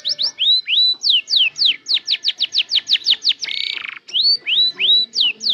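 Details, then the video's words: Canary starting to sing and arrange its song: rising whistles, then a rapid series of steeply falling high notes, a harsh buzzy rattle, and more rising whistles. "KENARI MULAI BELAJAR BUNYI DAN NATA LAGU"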